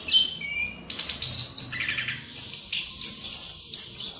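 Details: Orange-headed thrush, a songbird of Southeast Asian forests, singing a continuous rolling song (ngerol) used as a lure to provoke other birds into singing freely; loud rich bursts of high whistles, chatters and trills repeated every half second or so.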